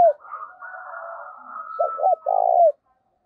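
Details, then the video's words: Decoy spotted dove for luring wild doves in giọng thổ voice: after a stretch of fainter higher bird calls, one low phrase of two clipped notes and a long coo. "Chim Cu Mồi - cu gáy giọng thổ thúc cực đỉnh dùng kích bổi hiệu quả"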